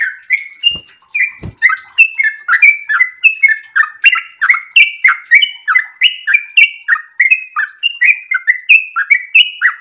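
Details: An extended ropel song by a sooty-headed bulbul in breeding condition, a dense chatter of slurred, tumbling chirps, with two dull knocks in the first two seconds.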